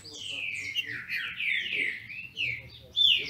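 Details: Caged green-winged saltator (trinca-ferro) held by a Brazilian breeder, singing against a rival: a continuous run of slurred whistled notes sweeping downward, ending in a sharp high note, over a low background hum.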